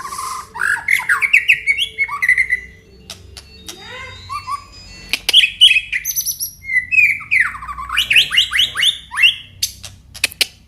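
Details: Aceh white-rumped shama displaying its song repertoire. Varied bursts of whistled, buzzy and chattering phrases, with fast repeated note series separated by short pauses. Clicks are scattered through; the background is otherwise quiet.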